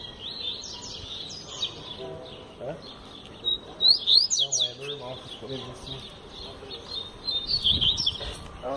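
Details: Powerful tui tui zel zel song of a double-collared seedeater: high slurred phrases, soft at first, then a loud run of sharp sweeping notes, pauses, and a final burst, with faint low voice-like sounds.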